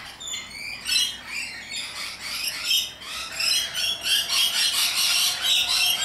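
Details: Rainbow lorikeets in Australia screeching: rapid, uneven bursts of shrill, grating notes, several a second, overlapping as more birds join toward the end.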